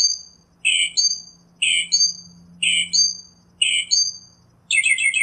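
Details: Northern mockingbird repeating a two-part phrase roughly once a second, a rough burst followed by a falling whistled note, ending in a faster chattering trill.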